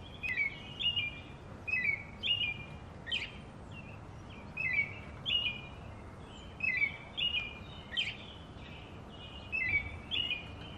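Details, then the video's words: American robin singing: clear whistled caroling phrases, rising and falling, delivered in short groups of two or three separated by brief pauses, over a steady low background hum; a faint high thin note from another bird in the distance. "American Robin Singing"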